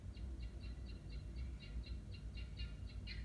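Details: A noisy guinea fowl gives a rapid series of harsh, grating notes, about four per second, steady throughout and ending in a slightly louder burst, over a constant low rumble.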